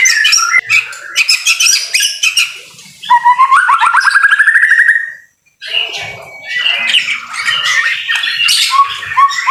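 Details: Vigorous white-rumped shama song in the rain. Fast clipped notes give way to a rising run of quick repeated whistles, a brief pause, then more varied high chattering phrases over soft rain.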